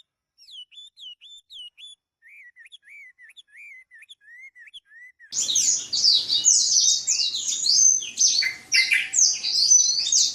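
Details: Black-throated canary (Crithagra atrogularis), a kept songbird: soft, slurred high whistles a couple per second, then a loud, fast, tumbling warble of sweeping high notes.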